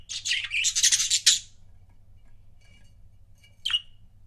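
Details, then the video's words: Budgerigar couples kept indoors burst into a fast, harsh warbling chatter lasting over a second, then fall quiet before one sharp, downslurred chirp. "CUTE BUDGIE COUPLES"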